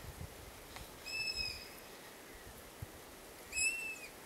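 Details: Young long-eared owl begging for food, siblings also begging nearby: two high, thin, long screeching whistles about two and a half seconds apart, each held steady then tailing off, over quiet background hiss.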